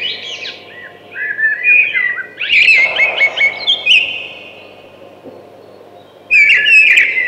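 Thrush song: a run of varied clear whistles and quick trills, one phrase after another, pausing briefly before a final bright burst.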